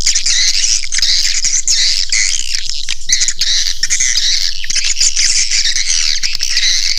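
Swiftlets twitter and chatter nonstop, with dense high, scratchy chirps overlapping several times a second. There are no pauses and no other sounds.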